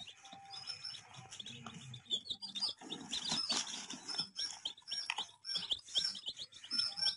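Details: A crowd of baby chicks peeping nonstop, their shrill high chirps piling into a thick chorus that swells louder midway, with scratchy rustling underneath.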